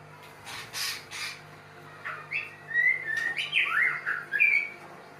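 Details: Mating white-rumped shama: soft broadband rustles first, then clear whistled notes and loud swooping, rising and falling slurs building toward the end, over a low hum.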